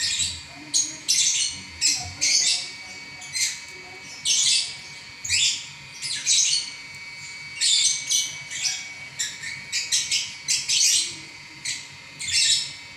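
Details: Lovebird singing on without pause, many short shrill squawks and chips fired in irregular clusters, sometimes three or four in quick succession, with steady faint hiss behind.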